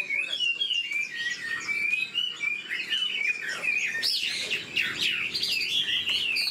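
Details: Wild-caught old Chinese hwamei in captivity, known for its quick, strong delivery, sings a long phrase of rolling whistles that climbs into louder, wavering, varied notes toward the end.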